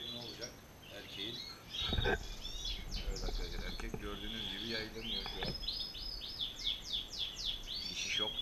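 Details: Paired male and female European goldfinches. Lively twittering song of rapid sweeping chirps builds into fast descending runs. A few clicks and low knocks sound in the background.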